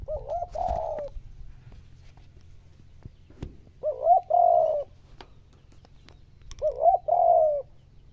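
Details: Spotted dove cooing to rouse the most stubborn decoy birds into answering: three phrases roughly every three seconds, each short rising notes leading into a longer, even, mellow coo, with faint clicks and low hum between.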